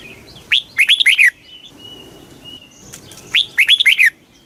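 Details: Red-whiskered bulbul giving two rapid kích bổi phrases of four or five loud, liquid, falling whistles, with a faint thin steady tone and soft twitters between.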